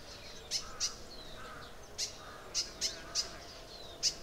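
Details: High, abrupt chip notes from a crimson sunbird in Arunachal Pradesh, India, repeated about every half second in uneven bursts, with thin, faint whistles between them and a steady low background hum.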